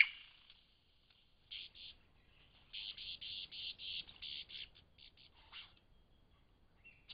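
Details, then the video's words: Lyrebird in Cape Liptrap Coastal Park: bursts of harsh, buzzy notes in the upper register, a rapid run of repeated chattering pulses through the middle, then scattered short notes and a faint descending call near the end. "Lyrebirds in Cape Liptrap Coastal Park"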